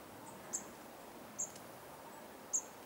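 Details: A Goldcrest (Regulus regulus) gives three very high, thin, sibilant 'see' notes about a second apart over a soft steady hiss; Dwingelderveld, Dwingeloo, Netherlands, 10 January 2016 (winter).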